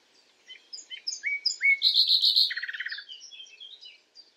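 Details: A common nightingale singing in darkness: short rising whistles lead into a loud rapid rattle of high notes, then a lower pulsed trill and soft scattered chirps.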